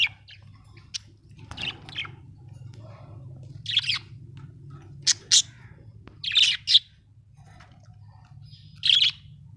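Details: Pet budgerigar, described as happy, giving scattered harsh chirps and squawky warbled notes, some in close pairs, separated by short pauses over a faint low hum.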